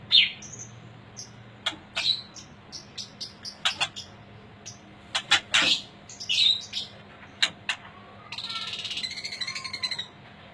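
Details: Aceh white-rumped shama of high quality producing crisp clicks and high whistled notes, ending in a harsh buzzy rattling phrase, with low hum throughout.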